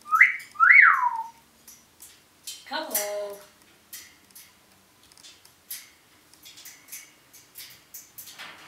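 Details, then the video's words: Pet African grey parrot talking and making noises: two loud arched whistles at the start, then a short falling harmonic note and a series of soft clicks and taps indoors. "parrot saying random things and making noises"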